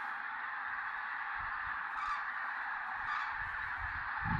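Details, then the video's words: Chorus of many common cranes at sunrise over the wet Tister Bauernmoor in Germany, fewer birds than usual; overlapping trumpeting calls blend into a continuous roar, and soft low thumps come through now and then. "Goldener Sonnenaufgang mit Kranichen im Tister Bauernmoor"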